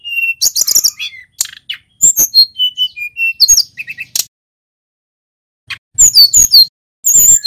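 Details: Male mountain white-eye of local Pacitan stock in full rolling song: bright chirps, thin slurred whistles and buzzy notes in a busy run, then a pause of about a second and a half before high twittering resumes.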